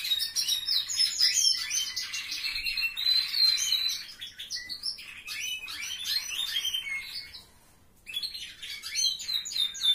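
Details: Caged canaries in a relative's aviary deliver fast, dense twittering song with sharp whistled notes and rolling trills, going briefly quiet near the end before resuming.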